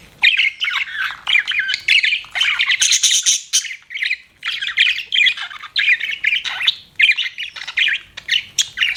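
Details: Continuous budgie chatter: harsh squawky notes mixed with quick chirps and warbling, coming in closely spaced bursts throughout.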